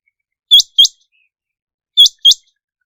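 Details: Quail calling in a digitally remastered recording: two quick pairs of sharp, high notes, each note with a short upward flick, the pairs about one and a half seconds apart against a silent background.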